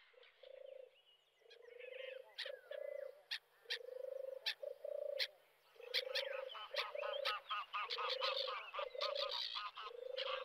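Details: European turtle dove at RSPB Frampton Marsh reserve, recorded from the car park on 26 July 2020: low, soft rolling purrs of about half a second, repeated roughly every second, under busy higher chirps and twitters from other birds.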